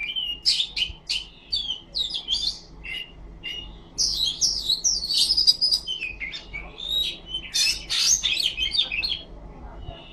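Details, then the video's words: Oriental magpie-robin (kacer) singing with tail fanning, a varied, loud run of sharp whistles, chirps and buzzy notes high in pitch, quick bursts with brief pauses throughout. "Suara burung kacer ngipas thes best plong"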